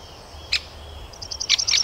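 A great spotted woodpecker gives a single sharp, explosive 'kik', followed by a quick run of thin, high ticking notes and several louder sharp calls.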